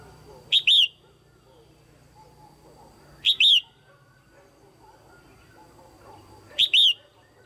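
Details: A female red-whiskered bulbul sounds her male-stimulating pairing call: three sharp two-part whistles about three seconds apart, the second part sliding downward, with quiet rumbling noise in the background.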